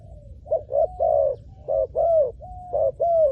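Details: Spotted dove calling to lure wild doves: clear, low coo phrases, a short note followed by two longer, slightly falling hoots, repeated about every second and a half.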